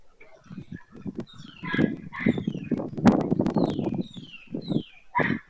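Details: White storks at Madrigal de las Altas Torres, Spain, 25 July 2024, end of the breeding season, give hoarse, nasal honking calls mixed with bursts of dry, rapid clattering, while thin, falling whistles from other birds sound faintly above.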